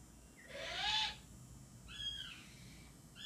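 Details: Captive Ural owl uttering one harsh, breathy screech with a rising tonal edge, followed by a fainter squeaky call, over a low indoor hum.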